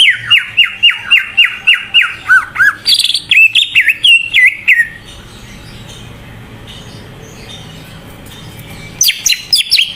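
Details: Greater green leafbird singing energetically, used as a lure to get less active leafbirds to sing. A quick run of about ten repeated downslurred whistled notes, then higher varied warbled phrases, a quiet pause with low hum, and sharp notes returning at the end.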